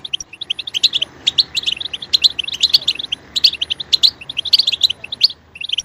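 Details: Goldfinch singing, used to spur another goldfinch to sing loudly: quick bright chirps and tinkling notes in short bursts, roughly half a dozen clusters per two seconds, over a faint background hiss.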